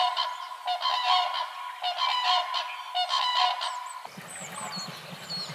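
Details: Common cranes bugling in a spring courtship dance during the breeding season: rich, trumpeting calls repeated about once a second for four seconds, then fading as thin high chirps of small birds take over.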